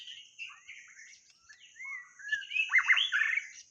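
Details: Song of a white-rumped shama, used as a lure: soft varied warbling, then a clean rising-falling whistle, then a loud tumbling burst of rich fluty and scratchy notes, with a constant thin high drone behind.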